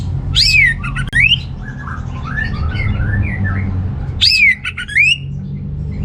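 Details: Orange-headed thrush song used to stimulate reluctant males: two loud phrases of swooping down-slurred whistles about four seconds apart, soft varied chirps between them, over low constant rumble.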